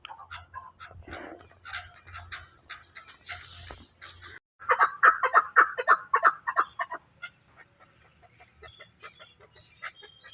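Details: Chukar partridge calling: after a few seconds of scattered soft notes, a loud run of clucking notes repeats rapidly, about three per second, then fades into quieter scattered chirps.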